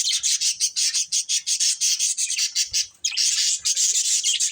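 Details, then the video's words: Rapid pulsed budgerigar chatter from a breeding pair, rhythmic harsh high chirps repeated several times a second, a short break, then the stream resumes. "Cute Budgies Chirping Sounds | Love Birds Breeding Pair"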